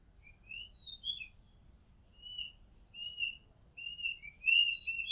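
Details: From a house rooftop, an Oriental magpie-robin sings short rising and falling whistles, some slurred upward, spaced irregularly and ending in a louder, more varied flourish.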